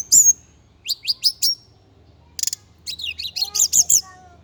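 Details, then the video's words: Javan indigo flycatcher, known locally as tledekan gunung or sikatan cacing, singing high thin notes: a sharp whistle, a quick series of descending slurred notes, a brief buzzy burst, then a run of rapid rising and falling whistles, with a faint lower tone beneath. "KICAU BURUNG TLEDEKAN GUNUNG JAWA/SIKATAN CACING"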